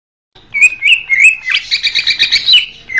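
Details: Greater green leafbird song used as a therapy and lure recording: a few clear, slurred whistles, then a fast, bright chattering run of high notes. No other sounds.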